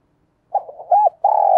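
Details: Lure spotted dove cooing to attract wild doves. After half a second of quiet come a quick soft stutter, a rounded hoot, and a long, even, sustained low coo.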